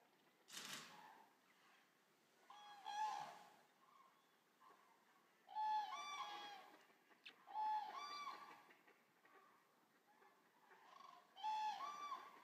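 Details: Eurasian common cranes from a resting flock of around 200 birds at the Racconigi stork centre, Italy. Separate bursts of ringing, trumpeted calls come every two to three seconds, with quiet gaps and one sharp click near the start.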